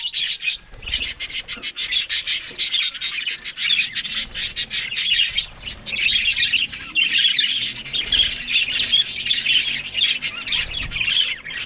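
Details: Australian budgerigars chattering while they eat green food in the morning. A near-continuous, busy warble of high chirps runs over dense crackling and clicking throughout.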